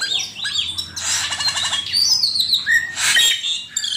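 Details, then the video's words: Asian pied starling master song for training other songbirds: fluty slurred whistles, a fast pulsing rattle, a harsh noisy burst, then a clear short whistle. "Suara burung cucak keling masteran jitu 100% camperling"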